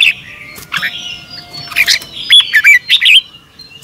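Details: Red-whiskered bulbul morning song, a double-twist voice style recorded in 2022 as a lure for training other bulbuls: bright whistled phrases and slurred warbling notes with short clicks, ending in a quick twisting burst of rising and falling whistles.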